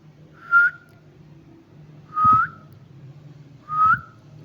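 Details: A pet Indian ringneck parrot, whose owner is coaxing it to speak and whistle, gives three short, clear whistles, each rising slightly at the end, about every one and a half seconds over a low indoor hum.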